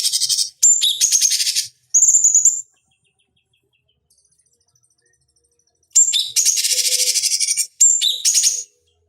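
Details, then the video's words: Song of a cucak cungkok, a bulbul, used as a master recording for training fighting birds. Dense, high, rattling trills and sharp chirps in bursts of one to two seconds, with a faint thin whistle in a pause. "Masteran Pancingan Cucak Cungkok Ampuh Untuk Terapi Dan Masteran Burung Petarung"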